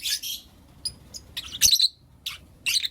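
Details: Morning chirping from pet lovebirds, blue opaline and lutino opaline: a few scattered shrill chirps and thin whistled notes, then short harsh bursts with quiet spaces between.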